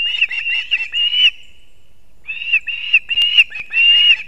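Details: At a Latvian osprey nest in Kurzeme, 6:40 am on 3 September 2024, the male arrives with two fish for the chicks: drawn-out shrill whistles and chirps in bouts, separated by a pause of about a second.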